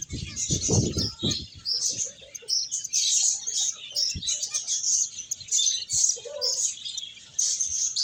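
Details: Flock of finches at play and feeding: constant high-pitched tweets and trills layered together, opening with a few low thuds and scattered clicks.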